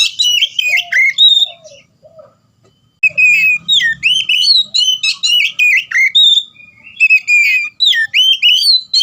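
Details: Oriental magpie-robin in full gacor ngeplong song, used to get stalled birds singing: piercing whistled phrases with upward and downward slurs, a short gap with soft low notes, then a sustained, varied, loud series.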